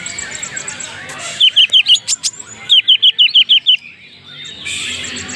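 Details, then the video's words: Greater green leafbird of genuine Banyuwangi stock, with a luxurious 'isian' fill in its song: two bursts of crisp, rapidly repeated whistled notes, about four then seven in a row, with a rustling hiss before and after. "cucak ijo BANYUWANGI ASLI isian mewah"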